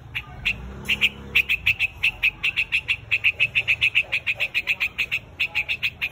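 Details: Flock call of a white-headed bird, given as rapid, evenly pitched clipped notes repeated two to three times a second after a few scattered opening notes.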